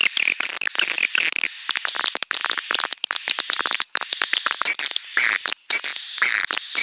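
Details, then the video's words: Swiftlet calls in a stereo lure track: dense, rapid, crackling chirps run almost without pause, over a steady thin high-pitched tone, with brief gaps now and then. "suara burung walet"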